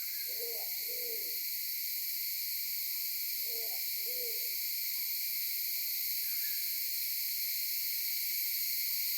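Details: Maleo recorded by phone camera on Sarva Island near Kampung Ugar, giving two-part hollow hoots in two bouts about three seconds apart, with a loud continuous insect drone throughout.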